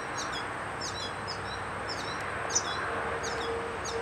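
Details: Yellow finch at the nest while feeding young, giving bursts of sharp, very high chirps and brief falling whistles in quick clusters against constant hiss.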